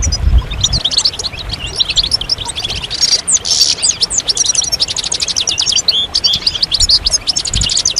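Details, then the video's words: Several European goldfinches singing together, used to encourage males through moult and into song; rapid, dense twittering with liquid trills and buzzy notes, continuous and overlapping, with a brief harsher burst near the middle. "ستستة وبتبتة جماعية للحسون فعالة في تحفيز الحسون على الخروج من غيار الريش بسرعة"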